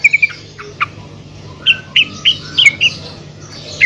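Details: Female yellow-vented bulbul calling to other bulbuls: scattered short bright chirps, a few quick doubled notes early, then a run of six clipped, slightly downslurred notes about every quarter-second, with a faint low hum beneath.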